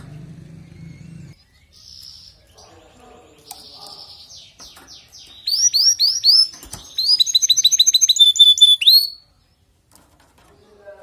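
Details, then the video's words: Caged canary, played to encourage weak singers, giving a song that starts quietly, then loud rapid trills and sweeping whistled notes before stopping abruptly; low hum at the start. "إذا لديك كناري ضعيف في تغريد سمعه هذا الغناء وشاهد الكناري ماذا يفعل"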